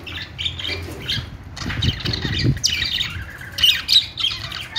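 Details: Budgies chattering with scratchy squawks and high chirps, rapid and uneven, plus some lower thumping noises in the middle of the stretch.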